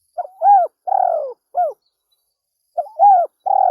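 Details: Spotted dove cooing: soft, mellow phrases of a short rising note, a longer drawn-out coo and a brief final note, repeated after a pause, with a quiet background.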